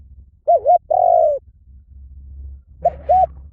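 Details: Spotted dove cooing: a short doubled coo, a longer slightly falling coo, then after a pause another short doubled coo, all low and mellow over a faint low rumble.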